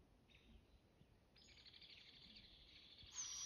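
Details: Juvenile barred owls in southern Oregon, Pacific Northwest, calling back and forth. A faint short rasp comes early, then from about halfway a long, hissing, breathy screech swells and grows louder toward the end.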